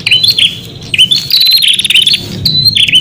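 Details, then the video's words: Lure song of a prinia for calling wild birds: sharp high chirping notes and quick dense trills, phrases recurring about every second, loud and clear. "Suara Pikat Burung Prenjak Untuk panggilan Prenjak Liar"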